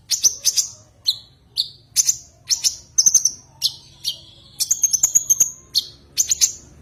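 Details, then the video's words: Common iora, locally konin, calling to a rival bird: repeated high, bright chip notes spaced about half a second apart, with a clear sustained whistle and a fast chattered burst near the end. "Suara kicau Burung konin memanggil lawan"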